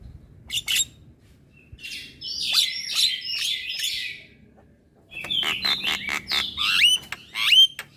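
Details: Young Javan myna chattering as it nods: a brief squeak, then a rapid series of strident whistles and scratchy notes, a quiet gap, and another lively burst ending in sharp upslurred whistles.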